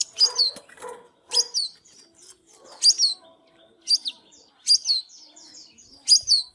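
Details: Singing, dancing Oriental magpie-robin: short bright phrases of a sharp downslurred whistle followed by fast twittering, repeated roughly every second or so, with soft low knocks in between.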